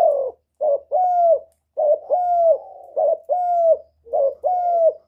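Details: Spotted dove calling to stimulate birds: clear, repeated low coo phrases, each a short note leading into a drawn-out hoot that dips at the end, delivered in a steady rhythm.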